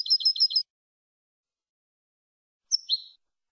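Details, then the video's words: European goldfinch in a clean competition-style song recording from Málaga, 2020: a short burst of quick repeated tinkling notes, then silence, then a brief sliding two-part whistle. "Nuevo canto del jilguero"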